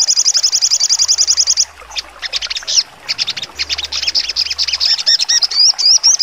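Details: Sogon (Crimson Sunbird) singing in trotol style, full and sharp: opens with a fast, steady high trill of repeated notes, then breaks into scattered sharp chips and twitters, ending with wavy rising-falling whistles.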